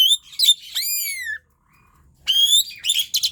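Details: Asian pied starling in vigorous song, used to prompt reluctant birds to sing: a chattering phrase leading into a long falling whistle, a second of quiet, then renewed busy, rattling notes.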